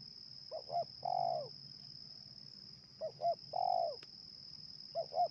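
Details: Spotted dove calling while wild doves are lured in Indonesia: two quick clipped coos then a long, drawn-out falling coo, repeated three times, over a loud continuous high insect whine and low rumble.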